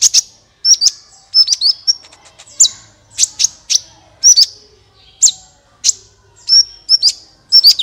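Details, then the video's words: Sunbird singing, a recording meant to prompt other birds into song: clear, high, sharp chirps and thin flicked whistles in clusters, spaced roughly every half second to a second. "suara burung Kolibri ampuh untuk pancingan"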